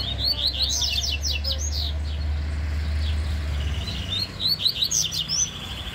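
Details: Yellow-bellied seedeater (Sporophila nigricollis), song: competing in song against a rival.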